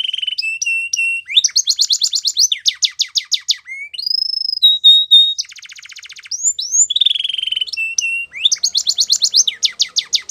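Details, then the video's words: Extended canary song alternating fast chirp trills, clear steady whistles, a quiet buzzy rattle, sweeping slurs, and repeated sharp descending notes. "Canary Singing Birds Sounds At Its Best"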